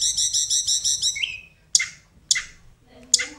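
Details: Varied tutor material from a little pied flycatcher, used to teach caged birds: a buzzy repeated phrase of six notes, a rising slur, then three separate sharp high clicks with pauses.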